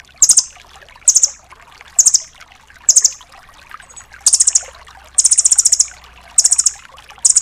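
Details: Rambatan doraemon nuthatch delivering full tembakan bursts to train songbirds: short, very high trill clusters at roughly one-second intervals, with a longer rattle of about ten rapid notes near the end.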